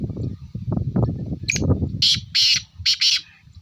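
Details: Black francolin calling: harsh, grating bursts of broad high notes, the first brief and then three loud rasping phrases in quick succession, over low rumbling and thumping noise.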